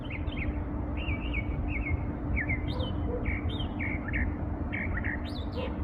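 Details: Bird singing in the morning: short high chirps and slurred whistled notes repeated over a loud steady low hum.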